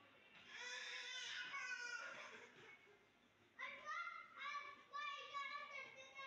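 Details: A parrot talking, with clear, high-pitched voiced syllables in speech-like phrases: one long run of chatter lasting about two seconds, a short pause, then several quick bursts of mimicked words.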